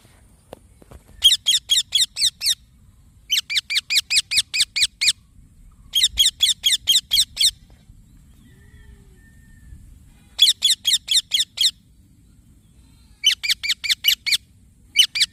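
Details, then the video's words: Green baby parrot repeatedly chirping in long bursts of eight to ten harsh, rapid notes, each burst lasting over a second, with brief silences between them. "Green Baby Parrot Chirping Sounds"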